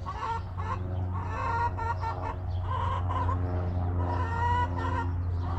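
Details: Hens in a backyard coop cluck loudly, mixing short clucks with longer, drawn-out nasal notes in irregular bursts, backed by a steady low droning hum.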